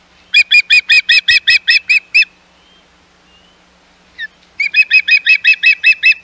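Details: Osprey calling at the Hog Island nest, 11 May 2021, amid intruding ospreys: two quick trains of shrill, repeated chip notes, each about two seconds long, separated by near silence and one isolated note.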